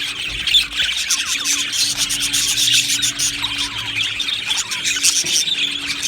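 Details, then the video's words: Australian budgerigars in an aviary colony, described as happy: a dense chorus of chirps and fast warbling twitters from many birds overlapping throughout, with a steady low mechanical hum beneath. "Budgie Sounds for lonely Budgies | Happy Budgies Birds Sounds"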